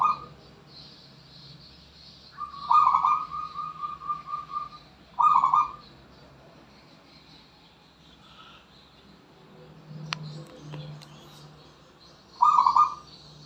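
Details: Zebra dove from the Borneo wild delivering a longer trilled phrase trailing into a sustained steady note, then short rolling bursts separated by long pauses, with a faint click and low hum between.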